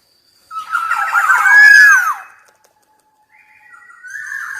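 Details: Black-naped oriole sings one loud, mellow, fluting phrase of slurred whistles peaking midway. A quieter whistled note follows after a short silence.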